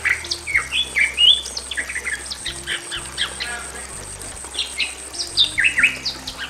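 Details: A male and a female Bali myna in a simple aviary give loud, varied squawks and whistled chirps in quick bursts, several per second, with a faint steady hum beneath.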